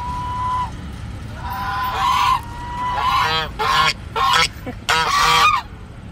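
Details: Geese in real life: a long flat nasal note, then several loud, harsh honks in clustered bursts separated by brief pauses, with a low background rumble.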